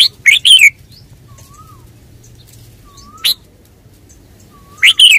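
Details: Red-whiskered bulbul singing bright, quick warbled bursts at the start and end, with a single sharp chirp between. Soft, low, slurred whistles repeat in the gaps over a faint background hum.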